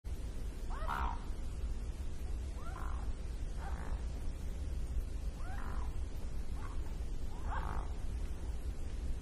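A mute swan gives about six short, hoarse, nasal calls, roughly one every second or so, over a steady low rumble of wind or water.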